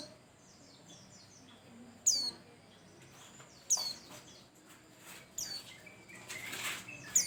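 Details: Bustomi white-eye singing, used to prompt other birds into song: sparse, sharp, high downslurred notes spaced about one and a half seconds apart, with faint thin twittering and soft low background sounds between.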